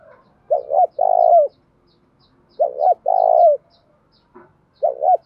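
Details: Decoy spotted dove cooing to bring wild doves into calling. Repeated hoarse phrases of two short notes and a long note, roughly every two seconds, with soft high ticks and a brief knock in the background.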